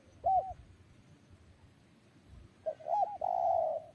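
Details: One short curved coo from a spotted dove, a long quiet gap, then a quick run of two curled notes leading into a long, steady, hoarse coo.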